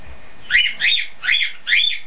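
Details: Male pet cockatiel sitting in his cage, giving four bright, buzzy chirps in a steady rhythm, each a broad harsh burst.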